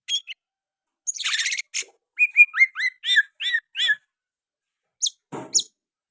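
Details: Oriental magpie-robin (kacer) song mixed with sooty-headed bulbul phrases; a harsh buzzy burst opens, followed by about eight quick down-slurred whistled notes in a row, then scattered sharp chips and a brief noisy rustle.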